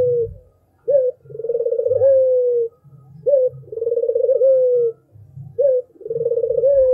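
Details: Albino puter dove singing clearly: a brief rising note is followed by a drawn-out, pulsing, purring coo. The phrase recurs three times at a regular pace, over faint low rumbles and thuds.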